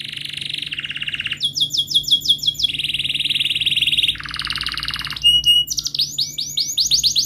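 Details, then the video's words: Canary singing a long rolling song used to coax a silent canary into singing: rapid trilled rolls at steady pitch, switching between phrases, then sweeping downslurred notes. "Kenari Gacor Panjang Cuit cuit Ngerol,TERAPI AMPUH Kenari MACET, Pancingan Kenari Paud Belajar Bunyi"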